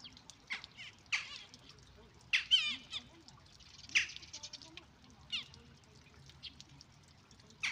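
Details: Western jackdaw chick begging while a parent feeds it: harsh, raspy squawks in irregular bursts every second or two, some stretched into wavering, quivering cries, over a quiet outdoor background.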